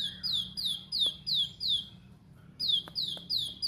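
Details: Plain prinia (ciblek sawah) in a sharp 'tembakan' (shot) phrase style, played to get a kept bird singing: high, sharp downslurred notes repeated about three per second in two bursts with a short pause between, plus faint clicks.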